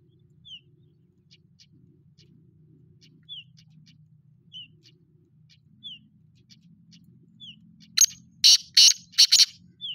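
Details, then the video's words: Black francolin calling: faint, thin, down-slurred chirps recur through quiet background hum, then a loud, harsh, grating burst of about five rasping notes closes the sequence. "Kale teetar ki khubsurat awaaz"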